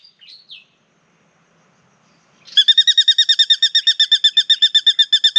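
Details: Spangled drongo in Australia, come down low to sing and bathe while its partner chats from the tree overhead. A brief high twitter, a pause, then a sustained fast, metallic chattering series of sharp repeated notes.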